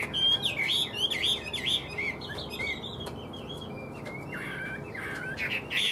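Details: Tame caged Chinese hwamei singing on invitation, becoming more intense as it continues: varied, rapidly changing whistled phrases with slurred up-and-down notes, pausing briefly midway before resuming, over a constant background hiss.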